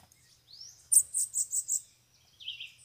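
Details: Wild bananaquits arrive around a cage during a bird-catching session. A rising thin whistle leads into a short burst of five or six high, sharp notes, followed by a lower buzzy tail.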